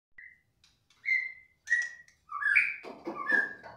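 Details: ["Young wild-caught white-rumped shama, agitated on hearing another shama's voice: clear whistled notes held level, then a quick run of richer rising and falling whistles and mixed chattering phrases."]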